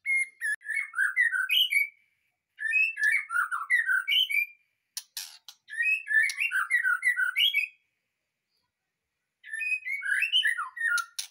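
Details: White-rumped shama in a cage, just removed from a breeding enclosure and singing straight away: four loud phrases of tumbling whistles and harsh chatter, each about two seconds, with gaps between.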